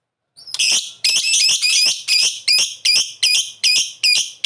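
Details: Calling lovebird used as a lure to make others answer: harsh, high, rasping screeches repeated about twice per second, loud and fairly even in rhythm.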